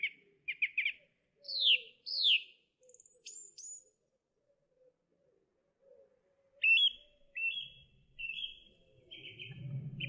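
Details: Song thrush singing: varied phrases of chirps and sweeping downslurred whistles, a pause, then flat whistled notes repeated several times, with a low rumble near the end.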